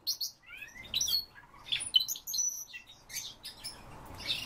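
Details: Siberian rubythroat song made of sliding whistles, rising squeaky notes and quick chattering twitters, given in short varied phrases one after another.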